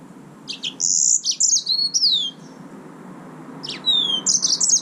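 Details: High, sweet phrases from a yellow-fronted canary: clear whistled notes and falling slurs, a short pause, then a second burst of quick chirps, over a quiet indoor background.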